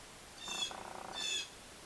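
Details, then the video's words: A Blue Jay heard through an open office door, near chickens feeding on a porch, gives two harsh, raspy calls about three-quarters of a second apart, faint and distant, with a soft rapid rattling between them. "oh yeah you can hear that blue jay in the background"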